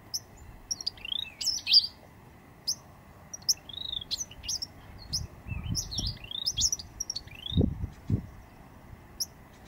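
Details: Eastern bristlebird, an endangered species, displaying in Booderee National Park at Jervis Bay, late August 2017: repeated high slurred whistles and sharp chirps scattered across ten seconds, over low thumps and rumble.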